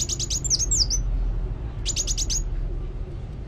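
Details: Sunbird delivers two quick bursts of high, sharp, rapidly repeated chirps, the first ending in looping whistled notes, over a steady low rumble.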